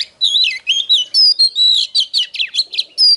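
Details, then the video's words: Oriental magpie-robin song in the hót déo style, played to provoke rivals: dense loud whistled phrases, rapid slurs up and down and bright high notes, pouring out almost without a break. "Chòe than HÓT - DÉO Kích bổi Ức chế || Kich chòe than VỀ ĐÁ"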